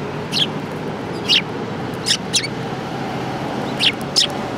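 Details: Sparrows gathering at food at a Tenmangu shrine, 22 January 2018: sharp, high chirps given singly and in quick pairs, about six in under five seconds, over a steady low background hum.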